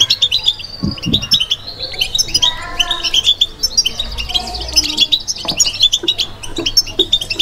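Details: Caged European goldfinch in a babtaba-style recording: a dense, rapid twittering of high tinkling notes and short buzzy trills, with faint lower tonal notes near the middle and soft background thumps.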